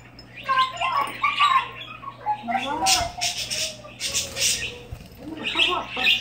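A parakeet chatters in speech-like warbles broken by two harsh, scratchy squawks, with a steady low hum underneath.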